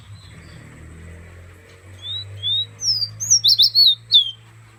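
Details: Guyanese pet fire red perched on a hand starts softly with two slurred whistles, then bursts into a fast string of high, chopped, warbling notes lasting a couple of seconds.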